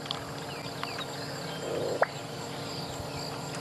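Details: A Black-bellied Bustard, nicknamed the champagne bird and thought to be a male, calls on a bright, hot morning: a soft, low gulp ending in a sharp cork-like pop, over faint insect buzz and distant birds.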